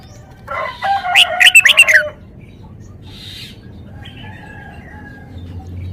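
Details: Red-whiskered bulbul showing off its song repertoire: one rich, rapid phrase of bubbling, descending whistled notes lasting about a second, followed by quiet with soft distant bird calls.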